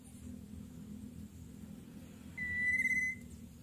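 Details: Greater Coucal chick in the nest, having trouble swallowing a large meal its parent delivered; a single clear, level whistle lasting under a second, faint hum underneath.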